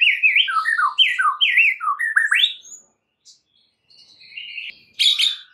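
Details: White-rumped shama song used as a master recording to provoke other shamas: a flowing series of looping, warbled whistles, a brief quiet gap, then thin high notes and a sudden loud harsh burst.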